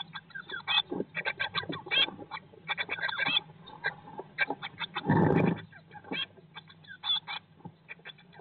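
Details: Eurasian blue tits in a nest box 19 days after hatching, May 2022; dense strings of quick harsh chirps fill the clip, broken midway by a loud rustling thump, over a low continuous hum.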